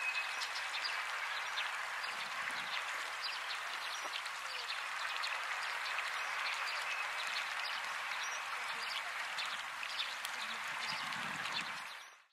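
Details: A dense, steady chatter of many Russet sparrows (Passer cinnamomeus rutilans) at Shirakawago, Japan, in April 2014: countless short bright chirps overlapping into a continuous twittering wash with no pauses.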